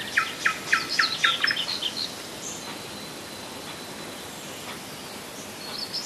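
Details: Rassudovo, about 40 km from Moscow, July 2011: a nightingale bursts into a rapid run of repeated clipped notes, turns to a higher twitter, then falls silent, leaving only hiss.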